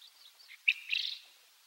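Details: A Japanese quail, one of a pair recorded from a car window, giving an unusual call: a short bright note then a slightly longer buzzy burst, high-pitched and lasting about half a second.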